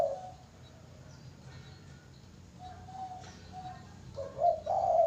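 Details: Song of a spotted dove: a brief coo at the start, quieter level notes, then a stronger rolling coo phrase toward the end, with a low rumbling background.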